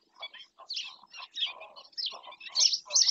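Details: Black-winged stilt in Doñana National Park, Spain, giving harsh, yapping notes in quick irregular series, roughly three per second, with rasping upper tones over a lower nasal layer; no other clear sounds.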